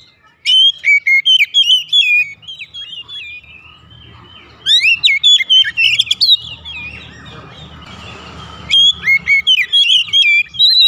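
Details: Oriental magpie-robin song played to get home-kept birds singing: repeated bursts of loud, fluid whistles and sharp upward sweeps, with a stretch of low rumbling noise between phrases before singing resumes.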